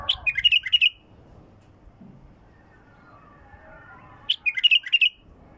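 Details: Bulbul singing, described as a raw bird with a pure throat: two bursts of quick, bright chirped notes, each under a second long, separated by a quiet gap of about three seconds with faint low murmuring beneath.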